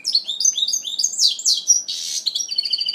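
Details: Goldfinch mule, first moult, 2012: a continuous tumbling stream of high twitters, whistled slurs and a harsh rasping note, delivered quickly without a break.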